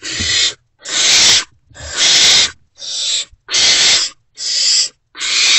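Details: Unfed great horned owl chicks inside a nest box react to a returning adult around 5:30 am on 3 March 2024 with six or seven harsh, broad rasping hisses, each roughly half a second long.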